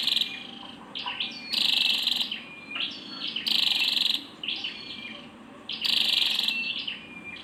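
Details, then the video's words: A female Scarlet-backed flowerpecker repeats broad, harsh buzzy calls about every two seconds, with softer quick chips and a thin high tone filling the gaps. "Tiếng chim sâu đầu đỏ mái"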